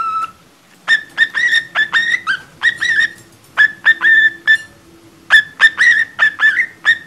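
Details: Pet budgerigar poorly imitating a cockatiel's Mickey Mouse March, whistling a rough, choppy tune in short clear notes near one pitch, grouped in bursts with brief pauses.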